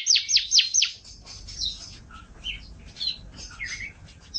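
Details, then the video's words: Canary singing in a training recording for songbirds: four loud, quick downward-sweeping high notes in the first second, then softer varied chirps, short whistles and buzzy phrases over faint low background noise. "Suara Burung Kenari"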